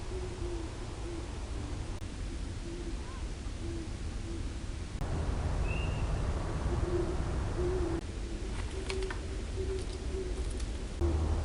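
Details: Great horned owl recorded by an acoustic monitor at Long Swamp Sanctuary: a long run of low, short hoots in loose groups, one thin whistled note from another bird, faint clicks and constant background hiss.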